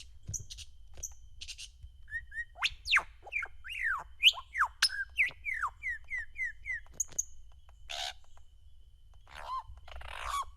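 A female Superb Lyrebird runs through a rapid medley of borrowed calls: sharp slurred whistles, a string of about eight quick downward notes, then harsher chattering imitations.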